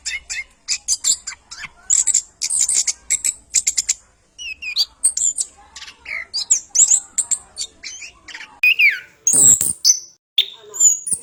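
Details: Orange-headed thrush pouring out vigorous training song for other birds: a run of rapid ticking chips followed by varied whistled slurs and harsh squawky notes.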